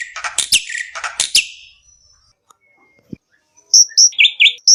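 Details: Black-winged myna song played to lure other birds into singing: harsh scratchy chatter bursts, a quiet pause with a single click, then a series of bright, high whistled notes, some dipping and rising.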